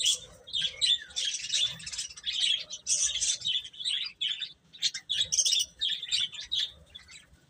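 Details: A brood of baby chickens peeping almost nonstop, with dense overlapping high chirps in rapid clusters and only one short pause past the middle.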